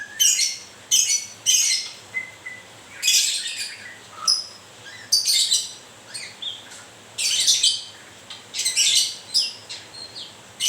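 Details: White-rumped shama during moult, repeated harsh rasping grewek bursts at irregular intervals, mixed with brief whistles and a soft low note near four seconds.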